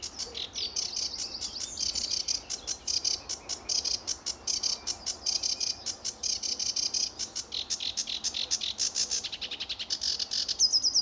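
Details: Lively sedge warbler singing in early morning sun under blue sky at RSPB Fowlmere, England, July 2013; a long, fast, chattering song of dense buzzy and clicking notes, with rapid stuttered trills near the end.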